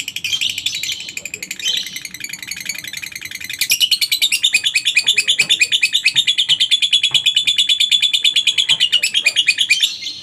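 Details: Long lovebird ngekek as a lure for other lovebirds: rough, scratchy chatter at first, then after four seconds a loud, even, rapid trill of shrill pulses running steadily to the end.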